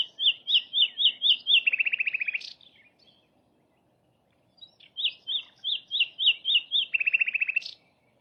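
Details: Free-living flycatcher repeating one phrase twice: six bouncing, up-and-down whistled notes, then a fast dry trill ending in a sharp upward flick, with a pause of about two seconds between phrases.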